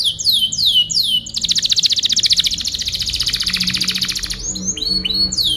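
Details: Canary song used as a tutoring recording for other birds: sweeping, descending whistled slurs, then a fast, buzzy trill lasting about three seconds, then more swooping notes over a faint low hum.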